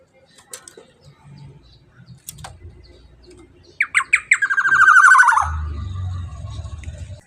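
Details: Black-naped oriole in full voice, loud enough to prompt other birds to sing: scattered faint ticks, then three clipped rising notes running into a long rasping, descending buzz. Low rumble follows.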